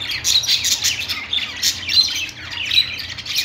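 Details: Several parakeets in a pet store chirping and squawking, high scratchy twitters rising and falling in loudness with a faint low hum behind.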